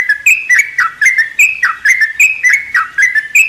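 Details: Morning song of a sooty-headed bulbul kept in a mini aviary, loud bubbling whistled phrases of falling and rising notes repeated about every quarter second without pause.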